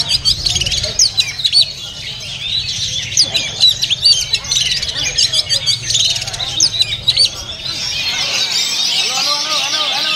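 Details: Caged oriental magpie-robin at a bird market singing a dense run of sharp, high whistled and chattering notes in quick bursts, overlapping other birds; soft cooing notes and steady crowd murmur rise toward the end.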